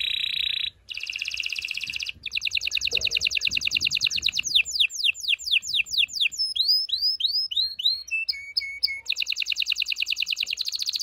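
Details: Strong canary song for preparing female canaries to mate: long rapid trills, a run of sweeping downslurred notes, looping rising whistles and a steady buzzy tour at the end, all high and continuous.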